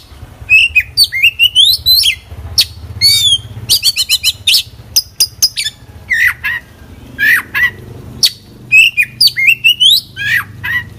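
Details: Oriental magpie-robin (kacer) singing energetically in full isian style, a varied stream of loud whistles, sweeping slurs, fast trills and harsh squawky notes in quick bursts, almost continuous, over a faint low hum.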